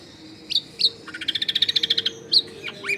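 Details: Long-tailed shrike song used as a lure for wild shrikes, recorded at a home in a crowded neighbourhood: sharp high notes, then a fast run of about a dozen clipped repeated chips, then rising and falling whistled slurs; faint background hum.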